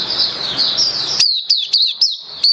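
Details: Caged Oriental white-eye singing on 27 October 2022, seventh day of a song supplement trial: a smeared high twitter, then sharp downslurred chips packed closely together. Room hiss is audible early on.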